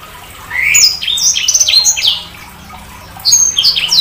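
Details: Sanger bird phrases: an upward-sweeping whistle followed by varied, high chirps and slurs, a short quiet break, then another burst of sharp notes.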